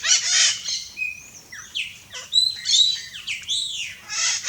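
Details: Wild red-shouldered macaw (Diopsittaca nobilis) in Brazil gives harsh, grating screeches at the start and end. Thin whistled notes and quick rising and falling chirps fill the middle.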